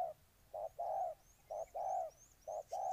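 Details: Spotted dove from Ninh Thuận, Vietnam, cooing in low hollow notes: a brief coo followed by a longer drawn-out coo, repeated about once a second, with faint thin high chirps from another bird overhead.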